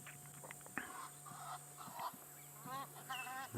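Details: Egyptian geese flying overhead during a sunset drive on 3 December 2016 give a burst of harsh, rapidly repeated honking calls, over a steady low engine hum and soft speech.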